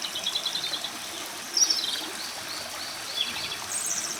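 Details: A Japanese robin, a celebrated songbird, in a long unbroken bout of singing: a run of quick high pulses, then a bright rattling trill mid-clip, with a brook murmuring throughout.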